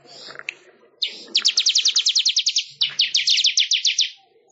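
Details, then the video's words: Manyar, a weaver, singing as a training recording for songbirds: after a few faint notes, two rapid bursts of high clicking ticks, roughly four per second, fill most of the clip with brief pause between. "Suara Ocehan Burung MANYAR"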